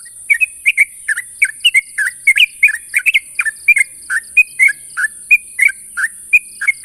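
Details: Sooty-headed bulbul calling out a rival: lively bubbling phrases of short, slurred, whistled notes, rising and falling, delivered steadily throughout against a continuous high hiss and a soft pulsed tone.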